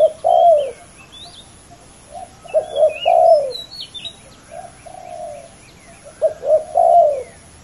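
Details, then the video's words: Spotted dove, two males competing against each other, giving low cooing notes in short grouped phrases with gaps between, accompanied by thin high chirps of other small birds. "ต่อดินนกเขาใหญ่ ดุเดือดคู่นี้!!"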